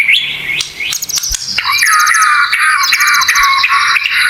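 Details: White-rumped shama song played as tutor material for training kept birds, full of 'tembakan' fill-in phrases: a rich, continuous run of loud whistles, rising sweeps and rapid high trills, varied phrase after phrase with almost no pause.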